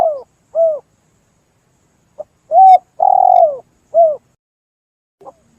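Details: Spotted dove call used as a hunting lure: soft, low, hollow coos in an uneven phrase of about six notes, one drawn out and burry, against a quiet background.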